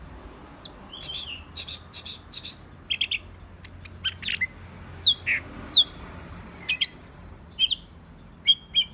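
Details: Green leafbird (cicak ijo) in agitated mood gives irregular bursts of sharp high chips and down-slurred whistles, roughly 86 notes a minute, over faint low hum.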